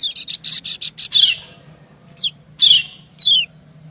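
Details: Female white-eye calling back and forth with a male: a rapid buzzy stutter of high notes, then three separate thin downslurred whistles after short gaps.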